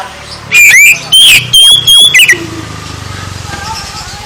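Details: Oriental magpie-robin song meant to rouse a sluggish bird: a quick run of five loud whistled and slurred notes over about two seconds, then a low hum and faint background chatter.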